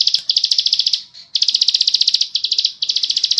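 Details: High, rapid clicking trills from a bar-winged prinia (ciblek sawah), delivered as long ngebren phrases with a short pause near the middle.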